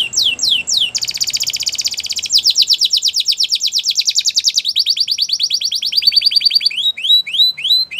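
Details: A Belgian canary sings a training song of falling whistles leading into long, fast, even trills that shift pitch several times, ending in repeated slurred notes.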